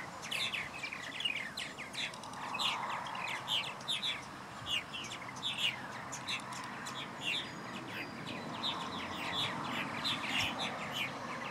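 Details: Purple martin nestlings and parents at the nest, Murrysville Community Park wetlands, 11 July 2020: continuous chirpy chatter of short, squeaky notes, several per second, from multiple birds, over a steady background hum.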